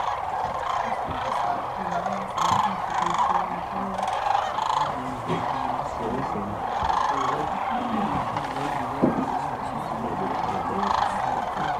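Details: Dusk roost of migrating sandhill cranes on the Platte River, Nebraska, hundreds of thousands of birds: an unbroken roar of overlapping trumpeting, rolling calls, rising in bursts every few seconds, with a soft low murmur underneath.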